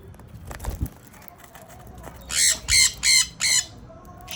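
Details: Sun conures, a breeding pair, give four loud, harsh screeching calls in quick succession about every third of a second, preceded by quieter soft knocks and background rustling.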